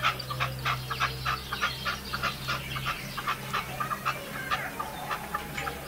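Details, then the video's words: Decoy partridge from León, Spain, recorded in 2012 and said to have three kinds of breeding-season calling, gives rapid harsh clucking notes repeated more than once a second over a steady low hum. "Reclamo de Perdiz"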